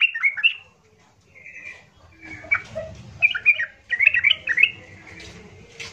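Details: Yellow-vented bulbul (trucukan) giving a harsh, loud provoking song meant to set other bulbuls calling back; scattered gurgling, squawky phrases with pauses and steady low background rumble.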